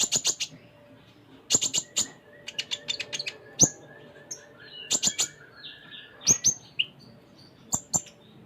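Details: Ruby-cheeked sunbird, called konin, singing energetically with filled-in phrases: clusters of sharp high clicks and ticks, scattered thin whistles and a few quick downslurred notes, over a soft hum.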